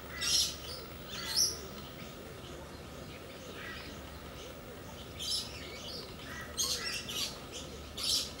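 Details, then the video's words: Two galahs at play give rasping high screeches in clusters, a pair near the start and a quicker run near the end, with a quiet gap between and a low background hum. "Pair of Galahs playing"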